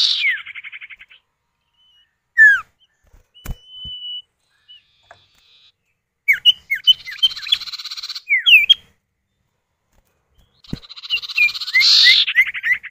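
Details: Male and female common iora calling back and forth, used as a lure for other birds; buzzy rattling trills alternate with sharp downslurred whistles and chips, with a few loud clicks between.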